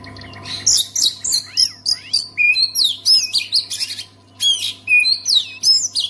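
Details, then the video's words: Oriental magpie-robin singing to prompt other magpie-robins to sing: a rapid, varied stream of loud whistles, rising and falling slurs and harsh chirps in quick bursts, pausing briefly before resuming, with a faint low hum behind. "SEKALI DENGAR KICAUAN KACER INI PASTI LANGSUNG GACOR"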